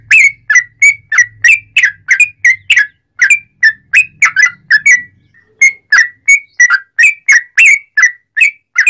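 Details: Long 'ropel panjang' song of a sooty-headed bulbul meant to provoke other bulbuls into singing: loud, clear, slurred whistles repeated about three times a second with a brief pause midway, faint hum underneath early on.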